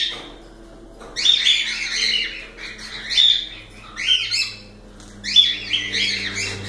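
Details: Cockatiel song with four loud bursts of squawky, harmonic notes, each rising and falling, about a second apart, over a steady low indoor hum.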